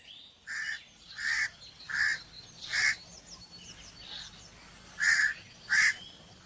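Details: Crow cawing in a steady series: six short, harsh caws spaced roughly a second apart, with a quieter gap in the middle and faint high bird twitters behind.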